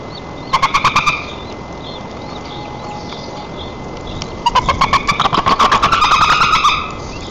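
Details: White-tailed eagle calling from a nest in Nizhnyaya Kama National Park, Tatarstan, 4 May 2024, while the chick is fed, recorded by a nest camera: a brief rapid run of yelps, a pause, then a longer fast chattering series.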